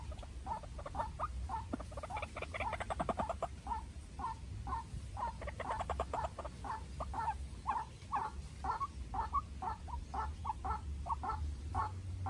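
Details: White-breasted waterhen, a young farm-raised decoy bird, dueling with a wild bird. Paired low croaking notes repeat roughly twice a second, steady and rhythmic, with faint rustling and a low hum beneath.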